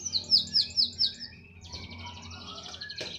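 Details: Canary singing steadily, said to keep singing wherever it is placed: five rapid high sweeping syllables in quick succession, then a lower buzzy trill and a faint rattling passage ending in a sharp note.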